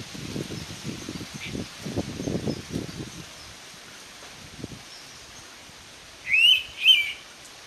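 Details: Indian pitta, known locally as navrang, recorded in Konkan at Abloli: low rustling and thumping for the first three seconds, then a single pair of sharp whistled notes near the end.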